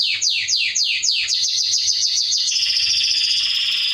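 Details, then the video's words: Canary song meant for young birds to learn: a few slow, loud downward-swooping notes, then faster repeated sweeps, ending in a dense, buzzy, sustained trill. "CANARY SINGING - Serinus canaria"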